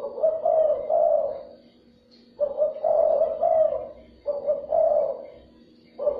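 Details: Spotted dove lure call to stimulate other doves: mid-pitched, husky coo phrases in three main bursts with a longer silent gap after the first, faint steady hum in the background.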